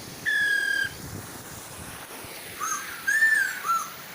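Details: Female and male Chinese hwamei singing to lure an untrained hwamei into singing: one long steady whistle, a pause, then three short arched whistled notes, with gentle waterfall sound in the background.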